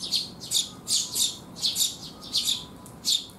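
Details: Rainy-day feeding visit by sparrows, 19 June 2021: a busy run of loud, buzzy high chirps, some doubled, nearly continuous across three seconds.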